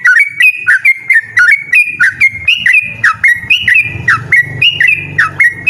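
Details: Loud, insistent 'ropel' song of a yellow-vented bulbul, with rapid clipped whistles that dip and jump in pitch, delivered almost without pause. A faint low rumble runs underneath.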